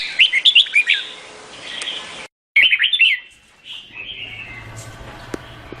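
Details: Red-whiskered bulbul singing two quick jumbled whistled phrases separated by a brief gap, followed by fainter drawn-out notes and low background hum.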